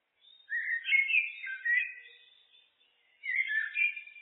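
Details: Common blackbird (Turdus merula), loud and close: two mellow, warbling whistled phrases with swooping pitch changes, separated by a short quiet gap, with no background noise.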